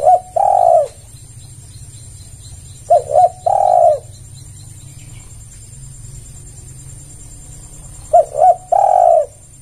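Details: Lure cooing of a spotted dove meant to provoke other doves: three phrases, each a pair of brief notes then a sustained soft coo, separated by quiet gaps of a few seconds.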